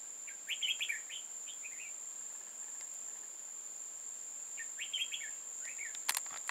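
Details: Red-whiskered bulbul used in trapping on 15 October 2018, giving two short bubbling, chirpy phrases several seconds apart, backed by a continuous high insect whine and a sharp click near the end.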